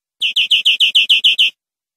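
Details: Greenfinch song from a tutor recording for training caged birds: a short series of nine rasping, evenly spaced notes delivered in just over a second.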